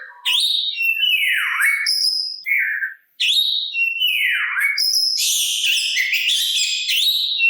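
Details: Oriental magpie-robin voicing a provoking song to get rival magpie-robins to respond; a distinctive phrase of sharp notes and a sweeping downslurred whistle is given twice, then a dense run of buzzy high notes.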